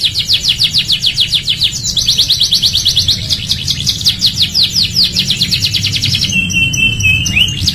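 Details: Canary singing a training song for other canaries: fast repeated high trills of downward-sweeping notes in rapid rolls, changing to a new trill about every two seconds, ending with sustained whistled notes and upward slurs; low hum underneath.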